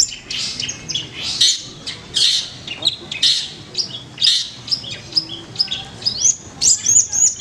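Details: Long-tailed shrike singing at a bird singing competition event in Manden: rapid, varied harsh and chattering phrases in quick bursts, with scratchy notes and squeaky mimicked whistles, several other birds audible nearby.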